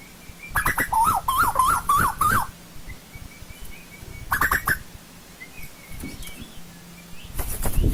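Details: Asian koel from old-growth forest: a hurried string of roughly seven warbling mid-pitched notes lasting two seconds, broken by loud knocking clicks before and after, with a faint high thin tone in the background.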